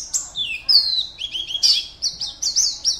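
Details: High, thin song from a caged Oriental white-eye competing in an online contest, Pontianak, West Kalimantan: longer sweeping whistles dropping in pitch, followed by short clipped chirps.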